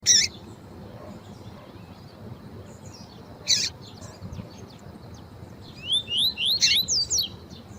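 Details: Female Double-collared seedeater calling to warm up a male: harsh, noisy chips at the start and again after three seconds, then a run of quick, high, wavering whistled notes over steady low background hiss.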